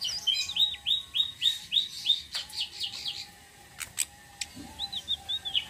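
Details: Rolling song of a flowerpecker, known locally as tledekan sitrun selendang biru and used as bait for other birds: a fast run of sharp high slurred notes, a pause with clicks, then a shorter series of arched notes.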